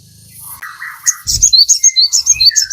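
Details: Sogon song played to train captive birds to sing, opening with a low hum and a lower warbling phrase, then rapid high whistled chirps repeated in a quick alternating pattern.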